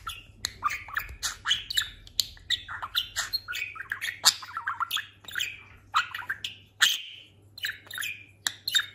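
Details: Indoor talking budgerigar, newly molted and noticeably heavier, keeps up a continuous busy warble of clicks, chirps and squeaky notes, barely pausing, with a low electrical hum in the background.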